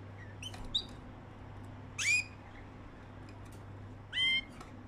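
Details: Several canaries caged together in Erbil, Iraqi Kurdistan: soft ticks, then a loud upswept call and later a rich, buzzy harmonic note, with a constant low electrical hum behind them.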